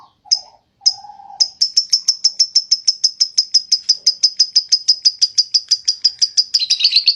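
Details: Lovebird performing the long ngekek song: two lone sharp chirps, then a sustained, even train of high piercing notes, about three per second, that turns rougher and broader at the end.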